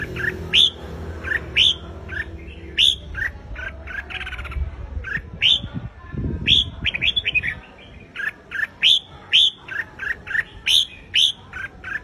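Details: Red-whiskered bulbul singing loud competitive song (hót đấu) to rouse a wild-caught bird. Short, ringing whistled phrases repeat almost without pause, with a brief low rumble midway.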